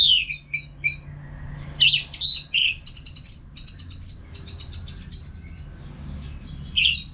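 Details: Orange-headed thrush from North Bali, used to prompt caged birds into loud ngeplong singing. Soft falling notes lead into a series of high, drawn-out whistled phrases repeated several times.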